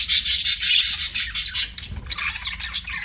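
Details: Budgerigar chirping in a loud, grating, buzzy chatter for the first second and a half, then softer, scratchy warbles trailing off.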